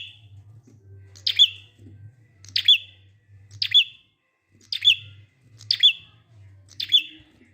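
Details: Prinia in ngalun song style, Indonesia, meant to lure other prinias into singing: six sharp, high clicking chirps, each ending in a short whistled note, repeated roughly once a second over a low droning hum.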